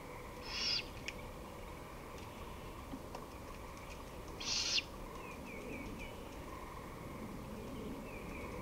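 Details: Great horned owl, 23 May 2018 at 5:53 pm, producing two hissing screech bursts four seconds apart, followed by a short series of thin chirps from another bird and a faint background hum.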